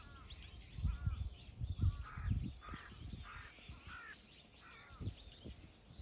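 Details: Crows mobbing a hawk, three birds, 21 October 2023; a fast run of rough, nasal caws repeated roughly every half second, overlapping at times, with low rumbling thumps and background noise beneath.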